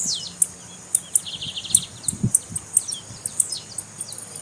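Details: Blue-black grassquit female calling to stimulate males. High, sharp ticks repeat about every half second over a run of rapid fluttering notes, with low thumping handling noise beneath.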